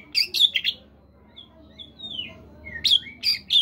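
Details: Caged Oriental magpie-robin in morning song meant to prompt other birds to sing: a burst of sharp scratchy notes, a pause with soft falling whistles, then more loud clipped phrases.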